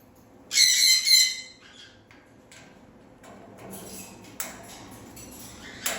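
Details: Parrot giving two loud, harsh, raspy squawks in quick succession near the start, followed by quieter scratchy rustling and a sharp click, then a short squawk at the very end.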